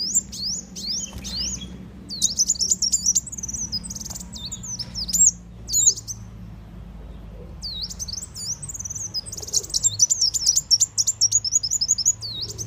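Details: Sunbird, locally called muncang or kolibri wulung, calling in a lure recording used to attract birds for catching: rapid, high, thin twittering and chirping phrases in two dense bursts separated by a short pause, over a low steady hum.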